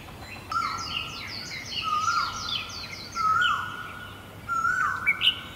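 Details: A great barbet in Guangzhou, China, in April 2022, gives loud, mournful rising-then-falling notes about every second and a half, over a busy chorus of high, twittering songbirds.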